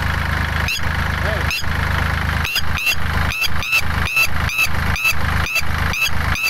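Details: Female red-wattled lapwing screeching to defend her eggs from a ploughing tractor in a rice field, Kamphaeng Phet province, Thailand, May 11; sharp repeated shrieks roughly twice a second over loud, steady tractor engine rumble.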